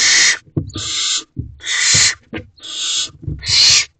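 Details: Barn owl nest box at night, 30 April, 8:34 pm, with the male delivering food: a run of five harsh hissing screeches under a second long, broken by brief pauses, plus low thumping and rustling.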